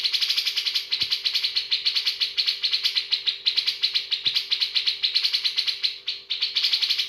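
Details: Bearded bulbul singing a rich song filling: a continuous rapid stream of sharp, bright chirps at about six per second, pausing briefly near the end, with a faint steady electrical hum underneath.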